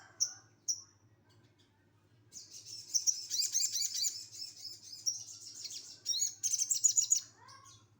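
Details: Bulak sogon giving 'tembakan kasar' song: two sharp high whistled notes, then a long dense buzzy warbling trill, breaking into a second rattling burst and a soft falling note; faint low humming in the background.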